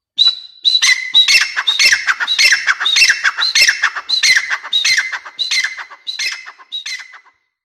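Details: Grey francolin (teetar) in a rapid, continuous run of grating, squawking notes, about two per second for seven seconds, high and harsh, gradually fading at the end.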